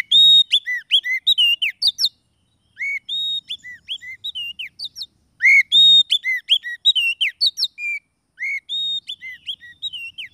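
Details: Wild-trapping lure of the Oriental magpie-robin, also for coaxing quiet birds: a steady series of whistled phrases of sliding and level notes with chirps, delivered in bursts about every two to three seconds.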